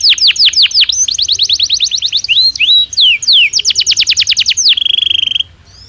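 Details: Singing Belgian canary delivering quick downslurred high syllables in rapid series, varied swooping whistles, and a closing fast even trill before falling silent.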